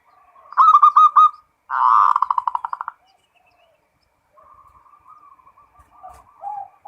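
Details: Local zebra dove giving ngerot-style song to raise mating urge: two loud pulsed bursts of rapid clipped notes early on, followed by long quiet wavering cooing.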